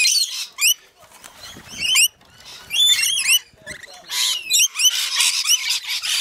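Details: Rainbow lorikeets feeding, giving sharp, shrill screeches and quick rising squeaks in irregular bursts, with rustling and patter between calls.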